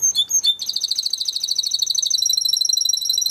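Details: Timbrado canary song used for training: a few sharp high chirps, then a fast, even, buzzy trill of rapidly repeated syllables that carries on steadily to the end.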